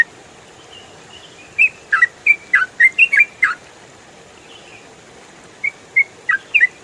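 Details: Songbird training audio of a yellow-vented bulbul in 'ropel' style: a burst of rapid whistled slurs, a pause with soft faint notes, then a second quicker burst, over quiet hiss.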